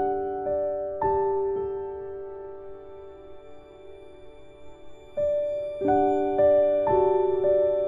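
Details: Slow piano music with sustained chords struck at intervals, and no animal voice anywhere.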